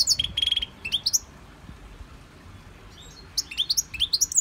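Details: Caged European goldfinch in a Victorian brass cage, in song training from a CD, gives high twittering notes, a flat buzzy trill, then rising slurred whistles in two bursts with a quiet gap between.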